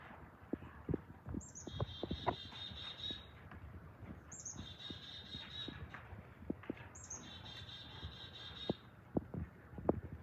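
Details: In winter at Schmeeckle Reserve, a chickadee gives its namesake chick-a-dee call three times, each a high opening note followed by a run of buzzy dee notes; low knocks and handling noises sound underneath.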